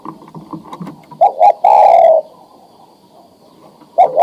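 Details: Adult male spotted dove ready for breeding calls to a female; soft low rustling precedes a phrase of two short coos and a long descending coo, with another phrase starting at the end.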